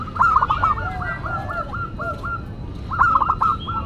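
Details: Zebra dove, a local bird in full classic song: a rapid run of clipped, rolling coos that slows into evenly spaced single notes, then another quick trilled burst near the end.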